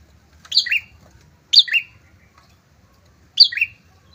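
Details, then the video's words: Prinia pair recording for luring rivals; three crisp chirps stepping down in pitch, spaced irregularly one to two seconds apart, with quiet low background rumble. "PRENJAK TAMU SEPASANG GACOR, COCOK UNTUK MEMANCING PRENJAK BUNYI, MEMIKAT LAWAN"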